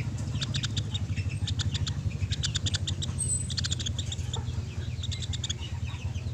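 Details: Sunda pygmy woodpecker uttering repeated dry, chattering trills of quick clicks in several bursts, over a steady loud low rumble of background noise.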